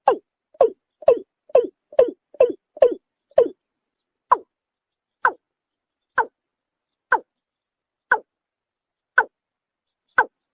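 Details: Watercock giving hollow, downward-sliding notes. They start as a quick run of about eight calls, then slow to a steady beat of one note roughly every second, with silence between notes.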